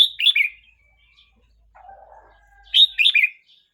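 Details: Red-whiskered bulbul aged 12 months 29 days sings two lively warbled phrases three seconds apart. A soft, low, wavering murmur comes between them.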